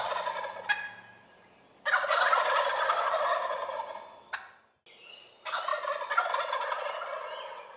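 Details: Wild turkeys in early spring in Rhode Island, two long rattling gobbles separated by sharp clicks and a short silence, dense rapid pulses, a thin whistled note between them.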